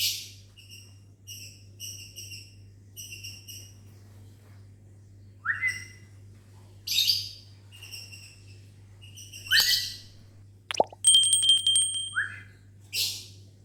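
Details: Lovebirds in a small aviary on a morning, answering a person's whistling: steady whistled human notes alternate with the birds' sharp rising shrieks and harsh chirps, several bursts across the stretch, over a low steady hum.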